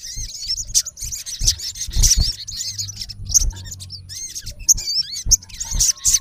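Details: Male olive-backed sunbird calling a rival: rapid high thin chirps and twittering notes, tightly packed, with low thumps and handling noise underneath.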